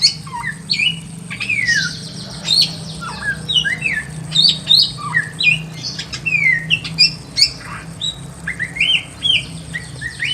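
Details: Samyong, the Pekin robin, in a simple aviary cage, singing busily: a long jumble of quick slurred whistles, chirps and sharp clicks, rising and falling phrases packed together, over a noticeable low electrical hum.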